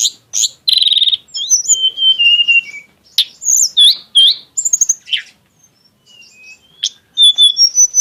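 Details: High, shifting song of a tledekan gunung in exotic style with sharp shots: a buzzy burst, long descending whistles, quick chirps and thin high notes, with gaps of silence between phrases.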